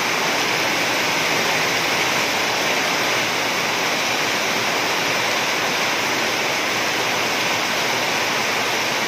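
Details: Continuous roaring wash of water or heavy rainfall covers every moment, with no animal calls heard above it.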